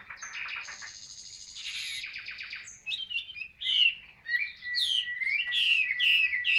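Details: Caged Chinese hwamei in Vietnam, song in the 'ngũ trường cao cầu' style: opens with thin sustained high tones and a buzzy trill, then bursts into loud, rapid, slurred whistles rising and falling.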